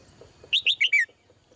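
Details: A female red-whiskered bulbul gives one brief, melodious phrase of four rich whistled notes, each sliding downward, the last one longest and lowest.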